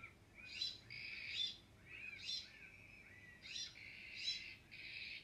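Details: Rasping, noisy calls of the Iberian magpie, also called the azure-winged magpie, repeated about once a second. Some calls run straight into short buzzy stretches.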